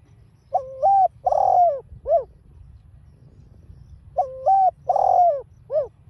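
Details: Spotted dove (cu đất), a cage bird, cooing in the field-voice style (giọng đồng) to provoke other caged doves. Two three-part phrases come about three seconds apart: a flat hooting note, a longer rich coo, then a short falling note. A low rumble runs underneath.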